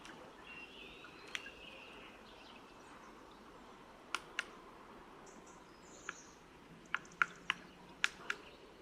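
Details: Black woodpecker in France in February, close by, drumming on wood, likely territorial, with sharp, isolated knocks at an uneven pace, about nine taps, over a steady hiss of traffic.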